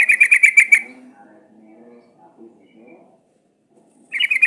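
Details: Lure song of the sooty-headed bulbul: a quick buzzy trill at the start, about three seconds of quiet with faint low chatter, then the same rapid trill returns at the end.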